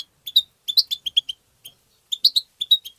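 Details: European goldfinch singing in the tbtba style: clusters of quick, bright twittering notes with sharp chips, delivered in two bursts separated by a short pause.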